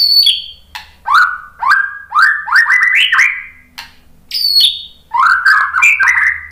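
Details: White-rumped shama answering a lure recording with varied song: high thin whistled opening notes, then a series of stepped, rising warbled phrases, brief gaps, and a final run of tumbling whistles.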